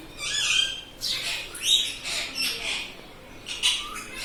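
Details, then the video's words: A pet parrot, tagged as a green ringneck, talks in harsh, scratchy, high-pitched bursts of short speech-like phrases and squawks about every half second in a quiet room, apparently saying words like "mithu", "papa", "mummy" or "radhe radhe". "Parrot talking mithu papa || bolta tota || बोलने वाला प्यारा तोता"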